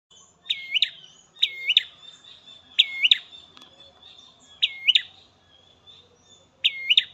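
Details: Ashy prinia (prenjak merah) tested in a garden, singing loud, sharp, bouncing double notes with a dipping then rising shape, given in short bursts at irregular gaps of one to two seconds, over a quiet background.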